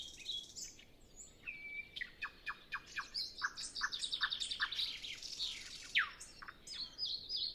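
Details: Nightingale recorded with a Zoom F6 and Sennheiser MKH 8040 in still air before sunrise, other birds silent: a pure whistled note, then quick chattering trills and a string of emphatic repeated notes.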